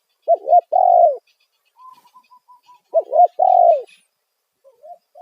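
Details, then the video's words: Spotted dove (tekukur) giving a loud single-'kuk' style lure call used to draw wild doves: two low cooing phrases, each a quick double note then a long, falling, drawn-out coo, with a row of soft higher notes and faint chirps between. "Panggilan suara tekukur kuk satu suara lantang"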